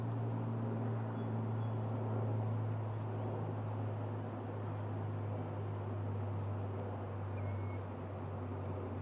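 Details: Killdeer at an estuary in spring, during the breeding season, heard from a distance: three brief, high, thin calls, the last the clearest, over a steady low rumble of wind or distant traffic.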